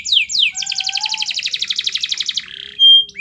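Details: Canary master song for encouraging other canaries to sing: two quick downward-sweeping whistles, then a rapid, rattling high trill, ending with a short pure whistle.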